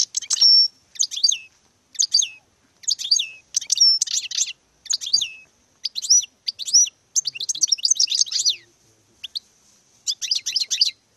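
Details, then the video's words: A European goldfinch performing its courtship display sings a long, lively sequence of tinkling, twittering phrases, each a cluster of high sweeping notes, delivered in rapid succession. "Parade nuptiale d'un magnifique Chardonneret"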